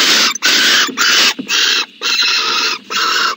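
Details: Owl inside a nest box in the morning, 14 January 2020, producing loud, broad, breathy hisses in quick succession, about six bursts in just over three seconds with short pauses between them.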